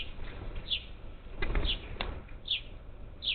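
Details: At a bird feeder near Houston, Texas, in July 2021, parakeets give high, sharp, falling chirps spaced under a second apart, mixed with woody knocks and clicks from the feeder.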